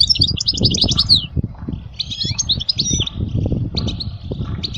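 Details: Song of a European goldfinch for tutoring young birds: rapid, high twittering and buzzy trills, with soft low thumping noises underneath.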